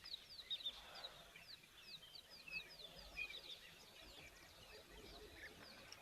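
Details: European bee-eaters flying overhead, migrants arrived for the rainy season, give a steady stream of short, liquid, rolling 'prruip' notes from several birds at once, set against a faint background hiss.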